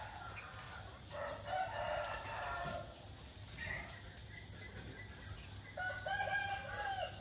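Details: Roosters crowing in the morning, several harmonic crows at varying distance, the clearest a drawn-out call near the end, over steady low rumble and faint clicks.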